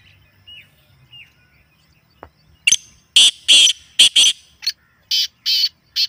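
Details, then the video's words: Black francolin, a captive bird, in a natural recording meant to make the bird excited and calling: faint thin whistles first, then a loud series of harsh, grating broadband notes in quick clustered bursts, with short pauses between groups. "کالا تیتر کو مست کرنے والی اصلی آوازیں"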